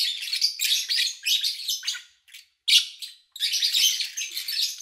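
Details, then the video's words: Lovebirds recorded cleanly in August 2019 while their owner was away: long runs of harsh, rasping chirps, thickly layered, interrupted by two short quiet gaps. "Sounds of Lovebird Chirping"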